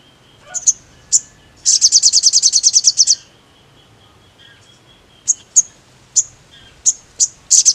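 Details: Sogon (crimson sunbird) ngkleper lure song meant to rile other sogons: high thin chips, then a rapid shrill trill of about fifteen notes in a second and a half, followed by scattered sharp chips.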